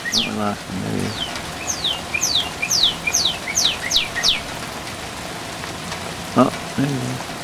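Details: Northern Cardinal singing live in an apple tree during a summer rain shower in Scarborough, keeping it up for hours: a run of about ten clear downslurred whistles, evenly spaced, over steady rain patter, with a man's brief speech before and after.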